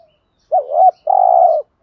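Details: Spotted dove with a thổ-style voice, cooing so that decoy doves coo along. A brief pause, then one phrase: a dipping two-part note and a sustained, low, burry coo lasting about half a second.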